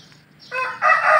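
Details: Rooster crowing: a harsh, loud call that begins after a quiet lead-in, rising into a strong two-part cry with a sustained, bright final phrase.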